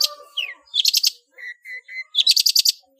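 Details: Ngeplong song of a long-tailed shrike packed with fill phrases, meant as a master for training cage birds: a falling slur, rasping rattles, then three level whistled notes before another loud rattle.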